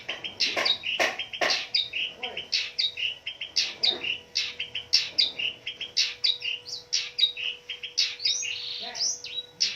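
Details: Long-tailed shrike, a fighter bird singing at full pace to stimulate silent shrikes. Fast, varied high notes, harsh chips and looping whistles pour out without pause, with a buzzy warble near the end.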